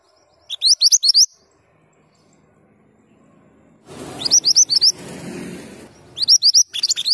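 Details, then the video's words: Male Mantenan gunung in active song: repeated short phrases of fast, high upslurred chirps, four to six notes each, with a brief rustling or handling noise in the background midway. "Mantenan gunung jantan gacor"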